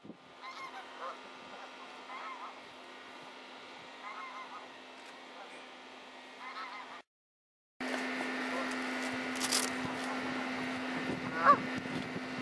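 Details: Greater white-fronted geese wintering at Ingbirchworth Reservoir, South Yorkshire, January 2017: quick, repeated high honks from the flock, then after a brief gap louder, noisier honking masked by wind-like rushing.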